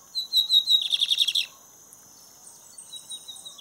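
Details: Lined seedeater singing a lot while out on a walk: a loud, rapid, buzzy trill of repeated high notes for about a second and a half, followed by softer thin whistles.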